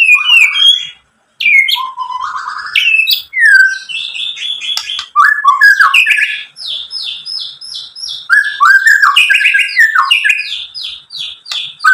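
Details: Varied, fast song of a White-rumped shama, played to stir other shamas: rich whistles, slurred notes and chattering mimic-like phrases, almost continuous for twelve seconds.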